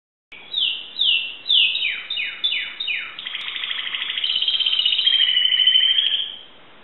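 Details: Timbrado canary from a Greek keeper, recorded 2009, singing: a run of high descending whistled sweeps repeated about twice a second, then a long even rolling trill that swells and fades before silence.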